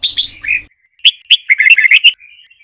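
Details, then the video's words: {'caption': 'Trà My style song of a red-whiskered bulbul, used to train birds in song learning: quick warbled notes, a brief gap, then a dense run of sharp, sweet chirps ending in a thin trailing note.'} "Luyện Chào Mào Hót Giọng Trà My Cực Hay, Ép Má Trắng Học Giọng"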